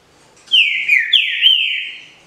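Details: Captive-bred green-winged saltator singing in the 'canto liso Paraná' style: one strong whistled phrase with two swooping down-and-up notes that run into a sustained, steady tone and then fade. The background is quiet.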